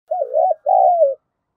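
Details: Spotted dove used as a decoy to provoke rival doves into calling, in the 'giọng thổ' voice style: one mellow two-part coo, a wavering first note then a longer smooth note sliding gently downward, no other sounds.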